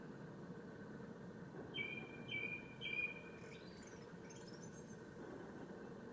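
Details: Male Japanese thrush in song at Ōbora spring by Lake Yamanaka, Japan, 3 May 2017: three brief whistled notes with short pauses between them, then faint high thin notes, over a steady low rumble.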